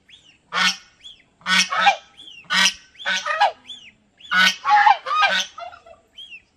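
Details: Domestic geese at Planet Earth Aquarium in Mysore, India, calling: loud harsh nasal honks in quick bursts, overlapping from several birds, with short higher squeaky notes between.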